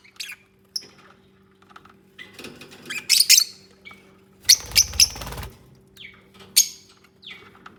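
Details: Lovebirds communicating while bonding and building their nest: scattered high chirps, then louder clustered squawky notes and brief rustling, over a constant faint low hum.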